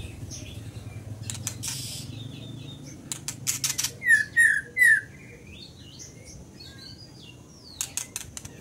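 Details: Scarlet minivet singing: three clear, loud, downslurred whistled notes given in quick succession, framed by scattered sharp clicks and taps and a few faint high chirps.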